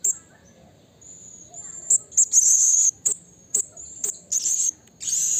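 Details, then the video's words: Blue-crowned hanging parrot calling to a rival in the wild: quick, high, thin squeaks and longer rasping buzzes in a fast, uneven series over a faint continuous high tone. "Suara Burung Serindit Memanggil Lawan Alam Liar"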